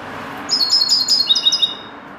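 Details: Trained to goldfinch song, a common linnet delivers one crisp, high phrase of about a dozen quick, pulsing, tinkling notes that step slightly downward in pitch toward the end.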